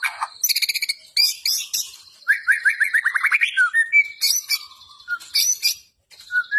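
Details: White-rumped shama in energetic gacor fighting style: fast buzzy stutters, then an accelerating rising series of sharp chips, followed by clear whistles and loud harsh bursts with short pauses.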